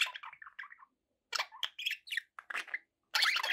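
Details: Pet budgerigars warbling in short, varied squeaky phrases, ending in a loud dense burst of chatter.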